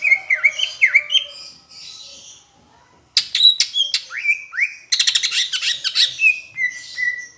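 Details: Greater green leafbird from Palembang singing a tutor song with Asian brown flycatcher imitation: varied whistled notes and rapid buzzy chatter bursts, with pauses between phrases.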